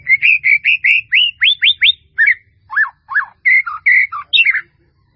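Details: Murai batu song for training: a quick series of about ten similar clear whistled notes, then dropping slurs and a few emphatic rising and falling whistles, ending in a high flourish.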